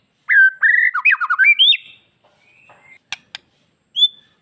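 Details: White-rumped shama master song, played to provoke males and young birds into breeding condition and aggression: a rapid burst of loud, varied whistles with quick descending slurs, a rising note, then faint scratchy notes, two sharp clicks and one final whistle.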